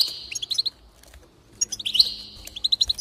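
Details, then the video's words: Two short bursts of goldfinch song, recorded to encourage singing, each a buzzy twitter ending in a quick series of bright clipped notes, with near silence between them. "increase the enthusiasm of the goldfinch and encourage it to song"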